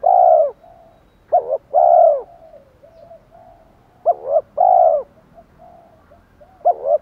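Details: Spotted dove decoy voice of the 'thổ' style with 'pha thúc đấu' phrasing, used to lure wild doves: short doubled notes followed by a long, slightly falling coo, the phrase repeated three times with soft faint coos between.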